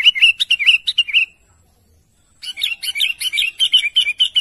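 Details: A sooty-headed bulbul calls to its companions with rapid bubbly chirping phrases, a short pause, then a denser, buzzier stream of quick twittering notes continuing to the end.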